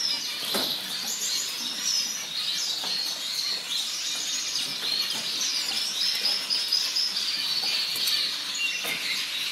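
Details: Group of orange zebra finches keeping up constant overlapping chirps and squeaky calls, about two notes a second standing out irregularly, with occasional soft clicks or wing flutters among the chatter.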